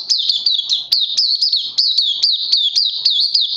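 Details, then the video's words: Oriental white-eye (puteh) singing on day 2 of a combined Lava and Life Force supplement course, 31 May 2020: a dense, high twittering warble with sharp upslurred chips repeated about three times a second, unbroken throughout. "Puteh Crazy LG"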